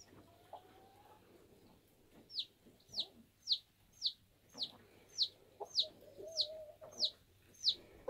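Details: Newly hatching bantam chick peeping from its egg: after quiet shuffling, about ten high, thin, falling peeps come roughly every two-thirds of a second, with faint tapping and a low steady hum beneath.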